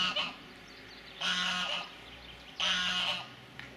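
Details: Goose guarding its territory at Azannes: two long harsh honks, each about half a second long, separated by a pause, with low background noise.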